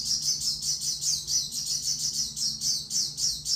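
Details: High, thin twittering from an Oriental white-eye (pleci), with notes pulsing about four times a second in an even, rapid chatter over a low background hum.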